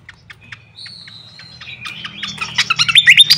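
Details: Fantail lure call used as a tutor recording: scattered short chirps, then a thin level whistle, building into louder, rapid, rising and falling whistled notes that grow stronger toward the end, over a low steady hum.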